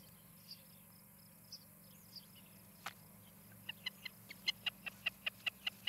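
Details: Osprey at its nest in Charlo, Montana, caught by a nest camera on an evening in July 2018: a few scattered faint chirps, then a quickening series of sharp, high, piercing whistled notes, roughly two to three per second, over a steady insect hum.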